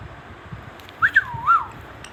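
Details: Pet baby Indian ringneck parrot whistling three short pure notes, two quick upslurred chirps followed by a longer swooping whistle, against a quiet indoor background.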